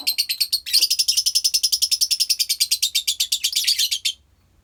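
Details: Colony lovebirds kept for bird therapy: a fast, steady run of shrill pulsed chatter, about eight notes a second, lasting four seconds before stopping.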